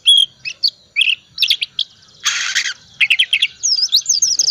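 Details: Oriental magpie-robin, a cold-tempered type in full song with filler phrases, used as a lure to get reluctant magpie-robins singing: rapid varied whistles and chirps, rising and falling high notes, one short harsh burst midway.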